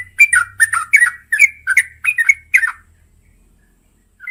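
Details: Yellow-vented bulbul, a female calling the male at night: a quick string of about eight bubbly, warbled chirps lasting under three seconds, then silence and one short note at the end.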